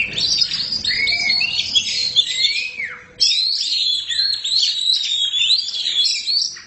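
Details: Black Oriental magpie-robin (kacer hitam) pouring out gacor song: dense chattering, warbling phrases with rising and falling whistles, a short gap after three seconds, then another rich burst.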